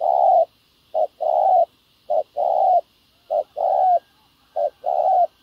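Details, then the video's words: Spotted dove cooing during ground-decoy trapping of wild doves: low hollow two-part phrases, a short note then a longer drawn coo, repeated roughly once a second, with faint high hiss in the background. "bẩy cu gáy mồi đất hay..gặp bổi đồng gù khá tốt"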